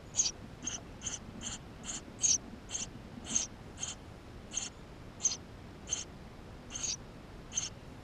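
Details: Eurasian tree sparrow nestlings begging inside the nest, filmed on a GoPro: a rapid, persistent series of about seventeen high squeaky calls roughly every half second, fairly loud and evenly paced.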